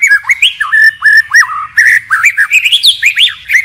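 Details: White-rumped shama singing a forest-style song with continual changes of phrase: loud whistled notes swooping between low and high, slurred up-and-down figures in quick succession, each phrase distinct from the last.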